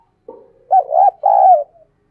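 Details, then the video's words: Spotted dove, a decoy bird in captivity, giving an urging call to provoke wild doves: a quiet lead-in coo, then two loud, rich, hollow coos, the second longer and slowly falling. "Tiếng Thúc Chim CU Gáy Sung - Kích Bổi Nhanh Nổi"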